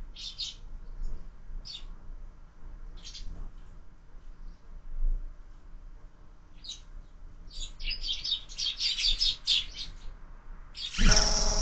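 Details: Sparrows feeding at breakfast at a feeder fixed to a window, fed all year round. Sparse single high chirps spaced a second or more apart build into a quick chattering burst. A loud broad rustle or thump comes at the end.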